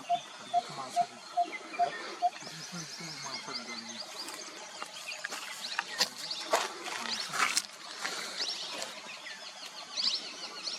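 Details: Malabar barbet in March at Chandgad, Maharashtra, India, in the Western Ghats, gives a run of six low, hollow 'tuk' notes, about two per second. A busy chorus of other birds and insects follows.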